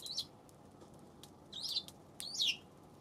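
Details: Three separate, sharp chirps from a Eurasian tree sparrow on 7 February, each a short downward-twisting note, spaced over about three seconds against faint hum.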